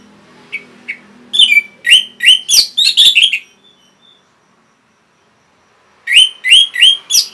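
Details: Orange-headed thrush song used to train and lure caged birds into singing. Rapid, bright chirps repeat about three per second in a long run, then pause, then resume as four or five more even chirps.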